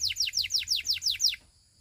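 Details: Russian canary song phrase of eight identical sharp descending whistled notes, about six per second, ending abruptly into near silence with a faint low hum.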